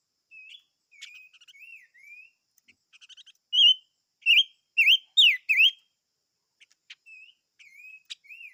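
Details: Song of the chim ngũ sắc. Soft, slurred whistles and short chip runs lead into a loud burst of five bright, wavering whistled notes. Quieter warbled notes and clicks follow.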